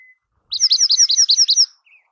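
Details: Dark-eyed junco, a ground bird seen in winter and called snow bird: a fast dry trill of about nine identical chirped notes lasting just over a second, then a faint short note.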